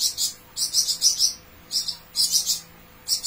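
A flowerpecker sings very high, thin, rapid trills in short bursts of about half a second, with brief pauses between them; a faint background hum underneath.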